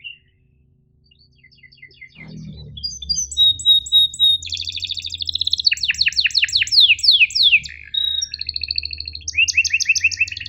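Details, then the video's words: Canary tutor song for birds that seldom sing and youngsters learning: starts near-silent, then high whistled notes build into long fast rolling trills and repeated downslurs, with a faint low hum beneath. "MASTERAN KENARI GACOR PANJANG EPS24 Cuit NgeroL TAJAM, Untuk Kenari SUSAH BUNYI & Paud belajar bunyi"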